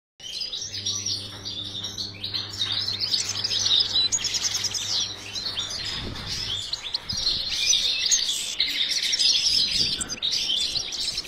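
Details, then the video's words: Captive European goldfinches kept for breeding give dense, tinkling high twitters and chirps. The bursts run almost without a break. A steady low electrical hum plays under the first six seconds. "Goldfinch breeding_chant chardonneret"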